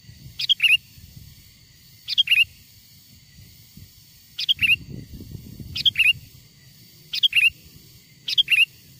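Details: Sooty-headed bulbul, original wild-bird song used for luring wild bulbuls: six cheerful phrases of three quick notes ending in a rolled twist, delivered in pairs with pauses, above a soft low background rumble.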